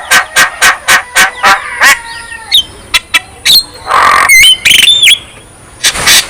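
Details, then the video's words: Javan myna song to wake up lazy birds: a rapid run of harsh clicking notes about four per second, followed by whistled slurs and a loud buzzy burst. "KICAUAN JALAK KEBO GACOR | Terapi Ampuh Untuk Jalak Kebo Yang Malas Bunyi"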